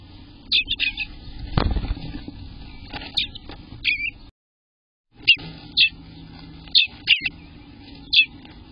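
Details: Day-18 Eastern bluebird nestlings in the nest, June 24th, 2021: clusters of sharp high chirps, a dull thump early on, then a short silent break before more scattered chirps return over a faint hum.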